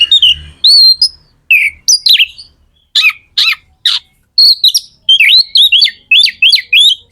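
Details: Magpie-robin (kacer) song meant to stir other birds to sing, lively high whistles and sharp strokes, ending in a quick series of repeated upswept whistled notes.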